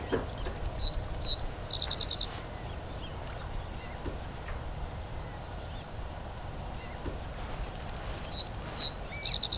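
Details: A Reed Bunting calls at RSPB Dungeness on the English coast in June, on a cool, cloudy evening: three sharp, high chirps and a quick jangling trill, then the phrase repeated after a pause, over faint outdoor hum.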